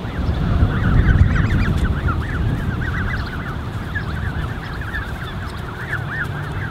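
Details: Thirty-plus Canada goose goslings in a creche, 13 June 2015, peep continuously in high, short, up-and-down notes, many overlapping, louder at first, with a strong low wind rumble beneath.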